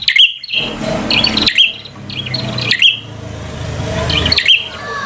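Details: Bar-winged prinia fighter song to rile a rival: sharp high chirped phrases about once per second, partly masked by steady broadband hiss and low background noise.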